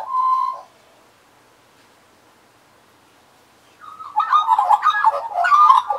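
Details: Australian magpies serenading a person in 2015. A single clear, steady fluted note is followed by about three seconds of near silence, then a lively run of warbling, gurgling notes.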